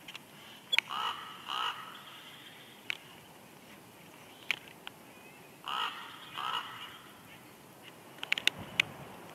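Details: At a nest on Big Bear Lake, California, a bald eagle pair calls back and forth at an incubation changeover: two bursts of a few rough, chattering notes, with sharp clicks and knocks in between.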